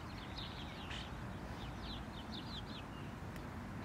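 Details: Common starling singing from a high perch in a settlement in spring, just back from wintering in the Mediterranean, mimicking other birds. Its song is a quiet, varied run of thin whistles and chirps, with faint background noise.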